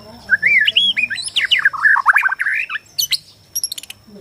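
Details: White-rumped shama from Borneo pouring out a provoking song: a continuous stream of sliding, jumping whistles and warbles, followed by brief high chips and clicks.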